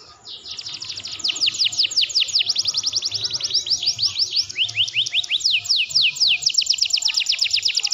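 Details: Canary master song for training and provoking other canaries: a long, fast song of bright, high whistled trills and rolling sweeps, phrases changing every second or so without pause.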